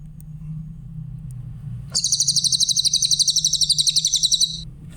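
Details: After a quiet spell with a low hum, a grey-headed canary-flycatcher gives one sustained, very high, rapidly pulsed trill lasting over two seconds, recorded clearly as a song model for training other songbirds.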